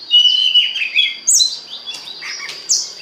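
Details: Lure song of an Oriental magpie-robin for stimulating other birds: a quick run of whistled, warbling notes and sharp high chirps packed into a few seconds.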